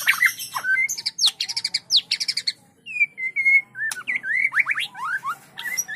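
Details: White-rumped shama in close 'trek' training, singing in the continuous 'trotolan' style. Dense, buzzy, high phrases give way to a pause, then flat whistles and quick swooping, sliding whistled notes.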